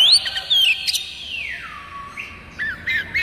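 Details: Oriental magpie-robin song meant to prompt other magpie-robins to sing: a few bright whistles and a long tone falling smoothly, then short upward-slurred whistled notes.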